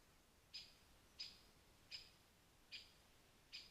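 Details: Rare European pied flycatcher at a forest pond in Wales: short, sharp high notes, each with a bright clipped onset, repeated about every 0.6 to 0.8 seconds, five in all, over a quiet background.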